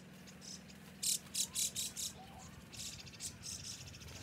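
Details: Feeding white-cheeked starlings that swiftly devour the food give a rapid run of harsh, raspy screeches roughly every third of a second, then softer grating notes trailing off, with a low background hum.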